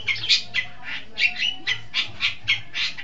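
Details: Long-tailed shrike song from a lure recording for training birds: harsh, scratchy high notes in quick bursts, about four per second and unevenly spaced, over a faint low hum.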